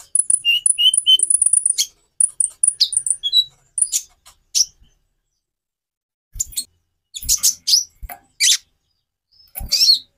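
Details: Konin (Van Hasselt's sunbird) song played to encourage other birds to sing: rapid high thin chips repeated in a quick series, then scattered sharp high notes and short bursts after a pause, with faint low thumps.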